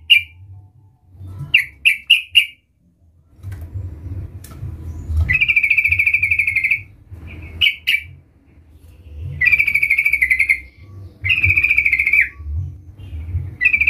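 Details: Sooty-headed bulbul calling a rival: clusters of sharp chips alternating with long buzzy rattling chatters, several phrases over fourteen seconds, with low rumbling hum in the background.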